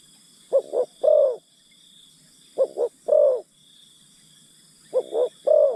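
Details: Spotted dove decoy luring wild birds, giving three mellow short-short-long coo phrases about two seconds apart. A thin constant insect buzz sits high above the calls.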